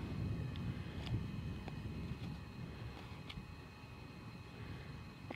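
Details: Steady low engine-like rumble with a few faint clicks, and no animal calls.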